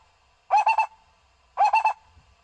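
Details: Barbet call played to lure barbets into traps: two quick bursts, each a tight cluster of three hollow, throaty notes, separated by about a second of quiet.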